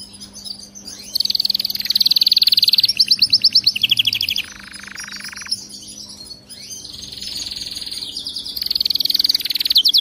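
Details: Canary song for teaching a caged canary to sing nonstop: bright fast trills alternate with a lower rattling roll and softer passages, rising again to loud high trills.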